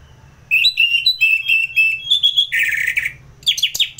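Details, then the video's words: Orange-headed thrush singing ngeplong, recorded in North Bali, Indonesia, as a master recording for contest birds: a long string of clear, warbled whistles repeated about four times a second, then a harsh buzzy note and sharp downslurred chips. "ANIS MERAH Ngeplong"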